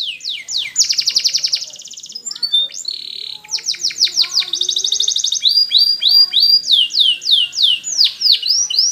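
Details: Training song of a caged canary: rapid pulsed trills, a brief whistled phrase, then rolling series of downward-curving notes repeated several times a second, all high-pitched and clear.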